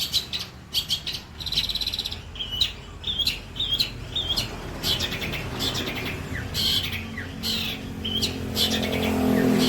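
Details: White-breasted long-tailed shrike singing a rich varied song: sharp high chirps and short upslurred whistles in uneven bursts, with a rising background hiss toward the end.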